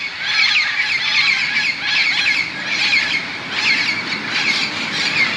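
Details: Parrots massing in bamboo next to a Moka, Trinidad golf course before nightfall; rasping squawks come in clustered bursts roughly once a second, layered over a steady background chatter of the flock.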